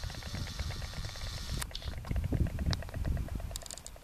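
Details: White stork pair in their nest at a church in Oltingue, France, in March 2015, dancing and clattering their bills: a fast, dry wooden rattle of clicks, partly buried under heavy low wind rumble.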